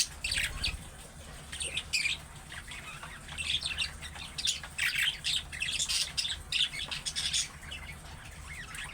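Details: Budgerigar chatter used to prompt pet budgies to call back: dense bursts of high, scratchy chirps and squawks, rapid and uneven, with brief pauses and a low background hum.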